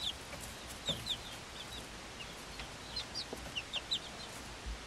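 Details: Five-week-old Swedish Flower Hen chicks, hatched 26 February 2022, with one silkie chick of the same age: thin, high peeps, some in quick pairs, spread irregularly through the clip over a background hiss.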